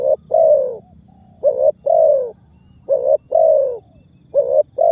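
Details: Spotted dove giving its calling and pressing coos, a lure that prompts other birds to sing; deep, rounded two-note phrases, clipped first note and fuller falling second, repeated about three times with a faint low hum underneath.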